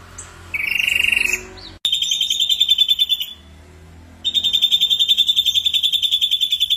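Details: Ashy drongo singing strongly as a lure, its song filled with borrowed phrases. A low buzzy phrase is followed by a high pulsing trill, a short pause, and the same high rapid trill resuming.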